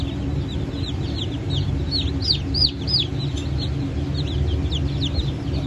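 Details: Brahma and Wyandotte chicks, freshly hatched on 04.08.2024, give a busy stream of shrill downward-curving cheeps, several per second, above a rumbling background hum.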